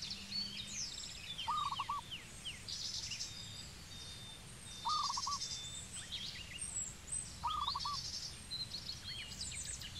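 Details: Cambodian zebra dove giving brief rippling coos, a trilled phrase about every three seconds, over a busy backdrop of other small birds chirping and whistling high above.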